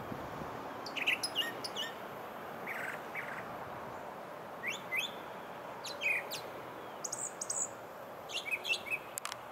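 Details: Brown thrasher in song at Bay Street Park, Osprey, Florida, delivering bursts of crisp, varied chirping phrases, often doubled, with brief gaps between them and a constant hissing background.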